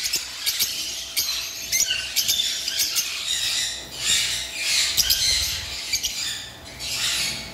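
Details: Many lovebirds chattering at once, high-pitched squeaky calls rising and falling in bursts, with short loud squawks scattered through the steady noisy chorus.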